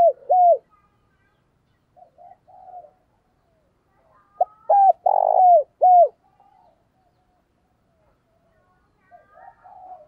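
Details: Morning calling of a decoy spotted dove, used to provoke wild doves, loud and ringing: two short bursts of deep, arched cooing notes, a quick pair near the start, then a tight series of four or five coos midway, with soft murmurs between.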